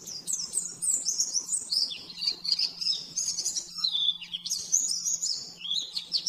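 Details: , Oriental white-eye rapid 'nembak-nembak' master song for training caged birds: a continuous stream of high, fast, slurred twitters that dip briefly lower midway, over a faint constant low hum.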